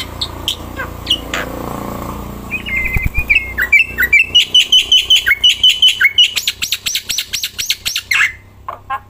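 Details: Caged black-winged myna singing non-stop and loudly outdoors while held in the hand; after low rustling, a run of bright whistled notes repeats rapidly, about two to three a second, ending in a drawn-out slurred note.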